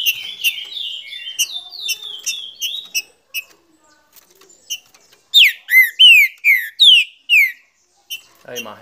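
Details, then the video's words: Green-winged saltator song opening with a run of fast chirping notes, then a short pause before five loud, clear downward-slurred whistles in a brisk series, with a few soft chips after. "TODO TRINCA FERRO CANTA COM ESSE TRINCA"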